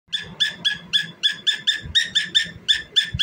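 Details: A famous pet cockatiel singing and dancing gives a fast, steady series of about twelve short, harsh, ringing notes, roughly four per second, with faint low thumps beneath.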